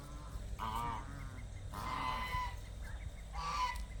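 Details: Domestic geese in their pen while their water is changed and they are fed, giving three nasal honks spread over four seconds, each a short harmonic blare, over a low rumbling background.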